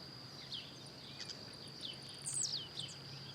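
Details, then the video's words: Wild blue-black grassquit singing while hopping about in nature: one sharp, high descending sweep near the end, with fainter similar notes earlier, over a steady high insect whine and soft background hiss. "Tiziu Cantando Na Natureza"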